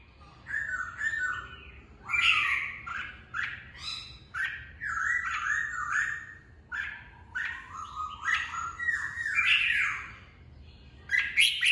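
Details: A captive red-whiskered bulbul in top singing form sings a lively, near-unbroken run of bubbly, chattering phrases mixed with harsh squawky notes, several notes each second, over a quiet background. The song serves as voice training for competition birds.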